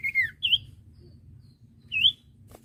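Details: Common iora song for tutoring untrained caged birds: three clear whistled notes, the first slurring downward, the next two rising and then falling, spaced apart with quiet pauses between.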